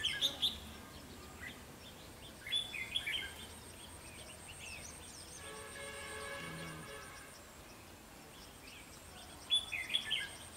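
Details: A red-whiskered bulbul's fighting song, played as a lure for trapping bulbuls, comes in short, bright, chirpy bursts at the start, middle and end, with a steady droning tone swelling in between.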